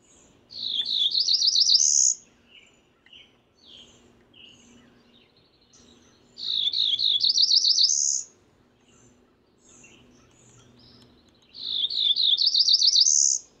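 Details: Cerulean warbler repeating its song three times, roughly every five to six seconds. Each song is a rising sequence of quick buzzy wavering notes that ends in a high thin buzz, with soft chips in between.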